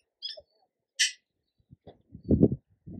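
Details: Tui in New Zealand, singing among yellow-blossomed kōwhai trees: two brief, bright high notes, the second a harsh burst, followed by a quick run of low, throaty clucking and gurgling notes.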